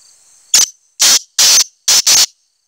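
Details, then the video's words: Black francolin call from 25 July 2020: one short harsh note followed by four longer rasping, noisy notes in a quick rhythmic phrase, loud and overdriven, with a faint high hiss before it. "kala teetar Awaz"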